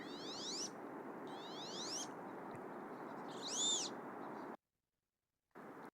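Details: A male Wood Duck gives its display call, three thin, squeaky rising "weep" notes spaced about a second and a half apart, over a steady hiss; a duck found in Newfoundland and Labrador wetlands.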